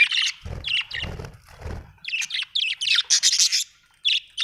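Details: Budgerigar chirping, a steady stream of high chattering and squeaky notes, with low thumping sounds underneath early on.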